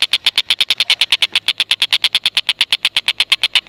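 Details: Tengkek buto giving a long unbroken series of sharp, evenly spaced clicks at a fast rhythm, used as a training lure to make lovebirds call.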